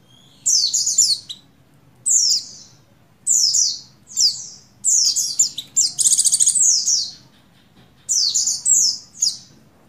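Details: Oriental white-eye (buxtoni), a breeding-condition female calling a male: high, sharp downslurred chirps in bursts about once a second, several doubled or tripled, one burst a dense rattling trill, over quiet low hum.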